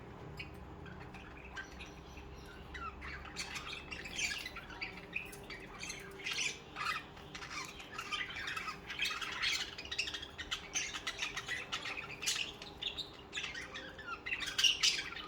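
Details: Several budgerigars, social pet birds, chattering continuously with dense scratchy warbles and squawks, building in intensity toward the end, over a faint steady hum.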